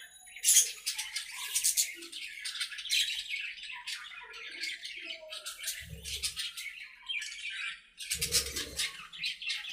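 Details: Several budgies chattering together in their aviary while playing: continuous high, scratchy warbles and chirps with harsh squawk bursts, plus two short low thuds.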